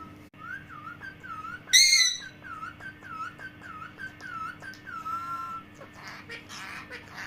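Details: Parrot gives a string of wavering whistled notes about twice a second, broken by one loud harsh squawk, then a longer falling whistle and soft breathy chatter, with a constant low hum behind.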